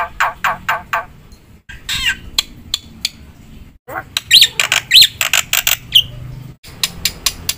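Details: Black-winged myna singing energetically in a full fill-in song style, used to rouse other mynas: harsh, noisy squawks and rasping bursts repeated in quick uneven runs, broken by abrupt cuts, with short sharp whistled notes near the end.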